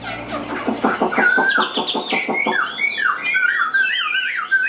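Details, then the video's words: Hand-tamed Chinese hwamei singing strongly: an opening series of quick, buzzy repeated notes, followed by looping whistled phrases that rise and fall. "Chim Họa Mi Hót Đỉnh Cao"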